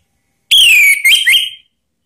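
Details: Orange-headed thrush call meant to draw other birds into song: a single loud whistled phrase, starting high, sliding slightly down, then two short rising slurs.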